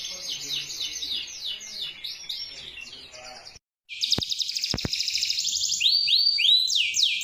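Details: Canary song used to train other canaries; rapid repeated downslurred notes, a short silence with a few clicks, then a buzzy trill and a run of quick rising sweeps.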